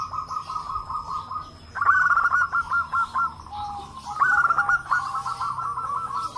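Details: Many local zebra doves calling in an answering chorus, meant to spark calling in other doves; two strong bursts of rhythmic, pulsing coo notes rise above a steady background trill.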